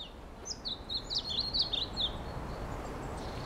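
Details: Pallas's leaf warbler at Laren, Netherlands, 31 March 2012, gives a quick, high-pitched burst of thin, jumbled twittering notes lasting under two seconds over a low background rumble.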